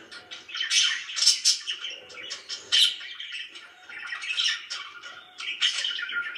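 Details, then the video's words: Happy budgerigars kept as pets, mixing soft warbling with louder scratchy chirps in irregular bursts, several birds calling together. "VERY HAPPY BIRDS #chirpingbirds #budgie"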